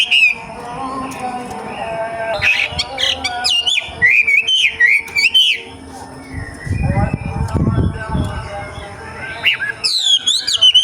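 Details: Young wild wambi from forest singing scattered bursts of fast, slurred whistles, with quiet low rumbling between phrases.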